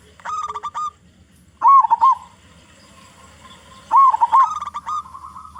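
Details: Local zebra dove with a big voice sings as a lure to prompt other zebra doves: clipped staccato coos, then a rolling trill, a pause, another warbled trill, and a closing run of quick notes.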